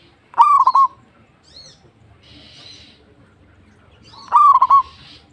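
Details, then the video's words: Local zebra dove singing vigorously: a short trilled, bubbling coo phrase, then a pause of about four seconds before a second matching phrase, with faint background noise between. "PERKUTUT LOKAL GACOR"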